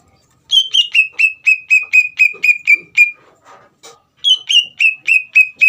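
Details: Greater green leafbird singing in lively form, used to provoke another leafbird into answering: a rapid run of about ten sharp, slightly buzzy whistled notes, roughly four per second, a brief pause with soft chatter, then a second fast burst.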